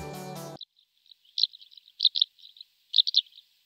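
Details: A male greater short-toed lark calls and sings in flight, including mimicry, giving short bursts of high, dry chirping notes grouped in quick clusters about every second. A brief snatch of music opens the recording.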